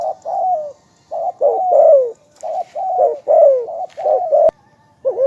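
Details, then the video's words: Spotted dove giving hollow, wavering coos in linked phrases, some drawn out and rolling downward. There is a single sharp click near the end. "นกเขาใญ่ ,เจ้าพายุเสียงทอง,เรียกหมานๆ100%"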